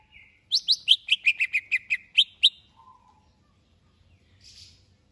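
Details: Contest-ready greater green leafbird delivers a rapid string of ten bright, sharp whistles sliding down in pitch, followed by a brief lower warble and a soft hiss.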